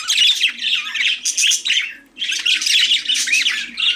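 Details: Busy budgerigar chatter of rapid, buzzy chirps and squeaks in two long bursts split by a brief quiet moment.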